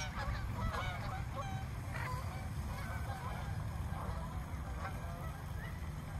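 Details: Swans in a frightened flock of more than a hundred, in a small park, give many short honks and upward-sliding trumpet notes that overlap steadily, with a deep background rumble throughout.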